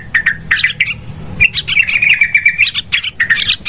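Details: Yellow-vented bulbul chatter from a trapping lure recording, billed as super noisy: clipped bubbly notes, then a long run of rapid even chirps in the middle, then more scattered bright calls.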